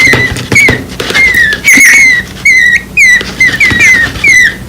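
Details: Very young nestlings on the ground after their palm-tree nest was moved, calling for their parent: thin, downward-sliding squeaky chirps spaced roughly every half second, with faint rustling behind.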